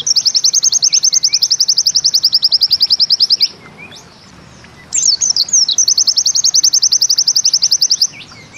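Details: Bustomi-type pleci (white-eye) in the 'nembak ziperrr' song style: a long, fast, even trill of high, sharp notes, about three and a half a second. It breaks off for over a second, then returns with a few swooping whistles before the trill resumes.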